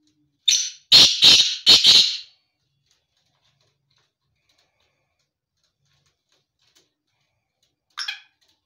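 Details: A black francolin, tame and roaming free, utters a loud rasping phrase of one short note followed by three harsh grating syllables. Silence follows, and a brief faint scratchy note comes later.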